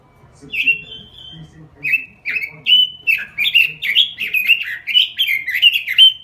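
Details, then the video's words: Robin lure song: bright, warbled phrases of quick rising and falling notes, several each second, with a soft low hum underneath. "Suara Pikat Burung Robin Full Gacor"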